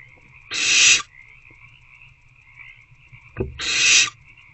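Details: Two long, noisy hissing begging calls from hungry owlets in an owl box at night, 26 February 2024, spaced three seconds apart, with a soft low thump just before the second and a steady hum throughout.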